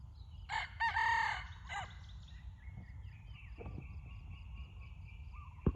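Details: Decoy red junglefowl crowing once early on: a rough, clipped start followed by a sustained harsh note and a brief trailing sound, then fainter background chirps over a low steady hum.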